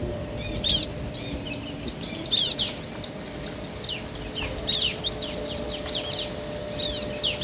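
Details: Bar-winged prinia male and female answering each other, used to provoke other birds into singing: a run of arched, ringing high notes repeated about twice a second, then quicker sharp descending chirps, with a steady low hum behind.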